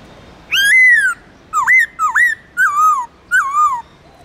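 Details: White-cheeked laughingthrush from Vietnam's Central Highlands giving wild-type 'giọng rừng' song used to train birds: a long loud slurred whistle, then two hooked upswept notes and two drawn-out descending whistles, clear and rich in overtones.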